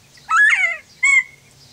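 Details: Kept quail calling back to a quail recording played to them: a loud harsh squawk that rises then slurs downward, followed after a short gap by a brief clear whistled note.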